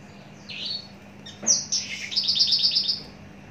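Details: An adult Javan bush lark kept long in captivity gives a descending slurred whistle, then a sharp note. A fast, high, rattling trill follows.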